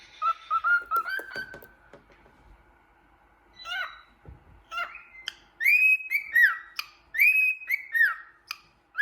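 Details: A happy cockatiel looking in a mirror whistles a run of clear, slurred notes, rising and falling, mixed with short sharp chirps.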